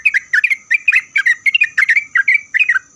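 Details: Loud, close sooty-headed bulbul song, played to get other bulbuls to answer, fast chattering string of short warbled and slurred notes, roughly five per second, clean with almost no background.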